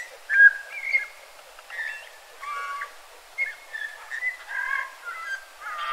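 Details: A Eurasian bullfinch in a yard in Joroinen, Finland, gives soft, low, fluty whistles mixed with quiet creaky notes, scattered irregularly throughout, with nothing else prominent.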